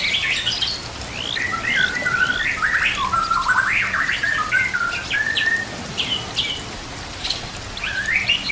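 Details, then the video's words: White-rumped shama complete fill-in song used as a training master, with nature sounds and trickling water: a dense, continuous torrent of overlapping whistles, squawky slurs and quick chirps, with a low steady hum. "MASTERAN MURAI BATU ISIAN komplit"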